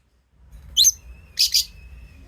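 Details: Lovebird calls: one piercing, scratchy chirp followed by a doubled shrill note half a second later. A faint steady whistle-like tone runs underneath in an otherwise quiet room.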